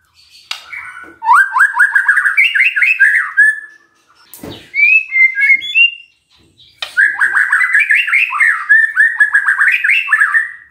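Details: A magpie-robin, used as a lure to prompt silent birds to answer, sings long runs of rapid, varied whistled notes climbing and falling in pitch, two bursts separated by a brief sharper phrase and a click.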